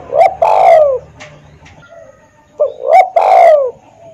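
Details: Cooing spotted dove (tekukur): a brief note followed by a drawn-out, falling, somewhat rough coo, given twice with a gap between, close and clear.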